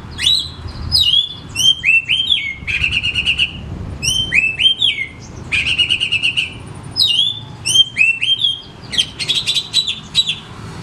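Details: Loud oriental magpie-robin song meant as a lure for home-kept magpie-robins that seldom sing; varied whistled slurs repeat in phrase groups, broken by three dense buzzy trills, with high chip notes scattered throughout.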